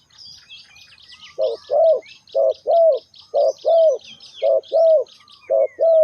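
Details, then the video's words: Low, mellow coos of a spotted dove calling to lure birds for trapping, short and long notes alternating in steady pairs, over a busy background of high chirping and twittering from other small birds. "Chim cu gáy chiêu kích mồi tập bổi nhanh nổi hiệu quả"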